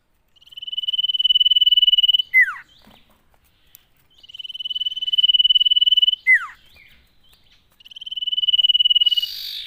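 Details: Common iora song, used to stimulate ioras kept at home into singing: three long, even trills near the same high pitch, two of them closed by a sharp down-slurred whistle, with quiet gaps between.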